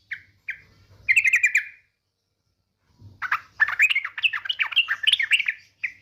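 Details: Female yellow-vented bulbul calling the male with a trilling 'ngetir' call: a couple of short notes, a buzzy rattle, a pause, then a long, bubbly stream of chattering notes rising and falling.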